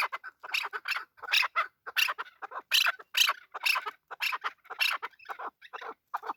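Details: Male chukar partridge delivering a long run of rasping, bright chuckling notes, roughly three per second, steady in loudness throughout.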